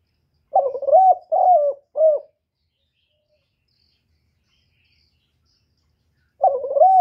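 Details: Spotted dove cooing phrase of three low, rounded notes, the last shortest, followed by about four seconds of silence before the phrase begins again.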